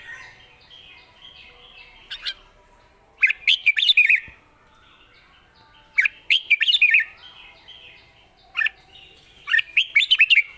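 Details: Lively whistled phrases from a red-whiskered bulbul praised for good phrasing and singing freely: a lone chirp, then quick bubbly runs of five or six bright notes, repeated roughly every three seconds over faint background.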